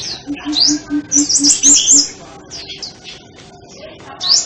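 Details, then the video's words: High sunbird song with bright sweeping twitters and a loud trilled burst, while a soft low pulsing tone repeats several times in the background. "Tiếng chim hút mật"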